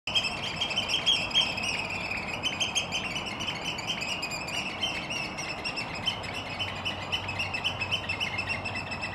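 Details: Competing Eurasian oystercatchers in a territorial piping display, necks stretched stiffly forward, in Helsinki, Finland, April 2022: a frantic, shrill chorus of overlapping high 'kleep' notes, several per second, over a steady wash of background noise.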